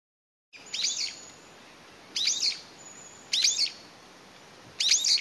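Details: A lone Brown-eared Bulbul, seemingly separated from its family, calls loudly to find its companions in May 2021, pausing to listen. Four harsh, shrill bursts of descending notes arrive about every 1.3 seconds, with quiet gaps between.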